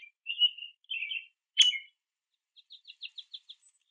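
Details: Male Downy Woodpecker at a backyard feeder eating sunflower seeds, making quiet chirps between quick trips: a few slurred high chirps and a sharp click, then a quick run of about seven thin, high notes in under a second.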